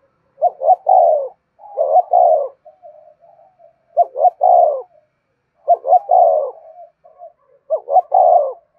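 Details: Steady cooing of a spotted dove lure bird: five low phrases in quick succession. Each is a couple of short hoots followed by a longer husky falling note, with faint soft trills between some phrases.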